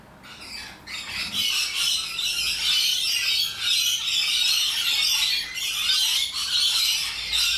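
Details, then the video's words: Wild rainbow lorikeets in Australia, a loud and highly social parrot flock, keep up a dense, continuous high-pitched screeching chatter after a quieter first second. "Loud and Obnoxious Parrots - Rainbow Lorikeets"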